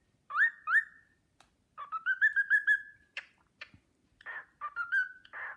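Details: Pet cockatiel whistling the Sportpalast Waltz while another bird gazes at it admiringly; clear, rising and wavering whistled phrases around a steady pitch, repeated in short bursts with brief pauses and a few clicks between them.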